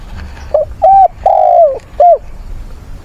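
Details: Spotted dove used as a decoy, calling mates in a fighting song: a short coo, two clipped hooting notes, a long drawn-out coo falling at the end, and a final short coo, loud and close.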